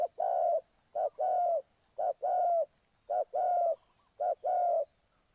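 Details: Spotted dove used as a lure for bird trapping, cooing clearly: five phrases, each a short low coo followed by a longer, steady, mellow coo, repeated about once a second in a quiet setting.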